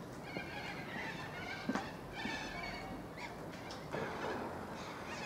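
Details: Little corellas calling in suburban Melbourne, Australia, 2 April 2014: a noisy mix of grating screeches and squawks from several birds, with a few sharp louder notes above constant background noise.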